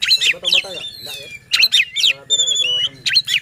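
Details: Provocative white-rumped shama singing, meant to rouse rival shamas and contest birds, delivered in quick repeated phrases of sharp descending whistles and chattering notes, with a constant low hum and faint voices behind.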